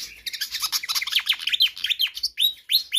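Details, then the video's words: Hard-singing pied fantail, recorded to tutor or attract other birds. A continuous tumbling stream of high, squeaky, down-sweeping notes, ending in a few clearer rising whistles. "Sikatan Kipas GACOR Ngotot"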